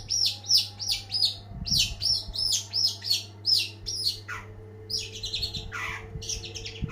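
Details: Long-tailed shrike (cendet) singing lively, opening with a rhythmic series of clear whistled upslurred notes about three per second, then shifting to mixed scratchy chatter and lower slurred notes, with background hum.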